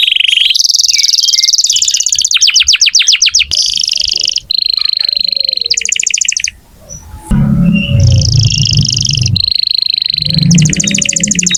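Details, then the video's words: Canary in full, lively song, used to coax young or stalled canaries into singing. Bright whistled phrases alternate with rapid rattling trills and sustained buzzy notes, with brief low rumbling background noise midway. "Kenari gacor untuk pancingan kenari muda atau macet bunyi"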